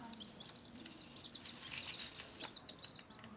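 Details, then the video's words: Newborn chickens feeding and playing, a dense run of high, short chirps repeated rapidly, several chicks peeping at once over light background rustle. "SMALL Baby Chicken Sound,Chirping,Noise and Chicken Feed"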